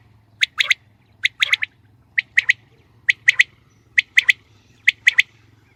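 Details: Common quail (Coturnix coturnix) hen, a recording used for hunting, gives sharp, high, clipped notes in quick pairs and triplets, about once a second, over a faint low hum.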